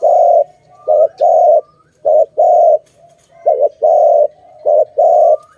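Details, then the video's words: Repeated dove cooing: five short-then-long phrases in close succession, a quick wavering note leading into a sustained low coo, with faint thin chirps in the background. "Sound of good dove for letting altogether"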